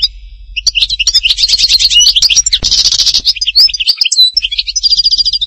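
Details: European goldfinch song from Htatba in Tipaza, a rapid jumble of liquid twitters, rattling trills and a buzzy burst mid-phrase, with a short pause before more quick chirping.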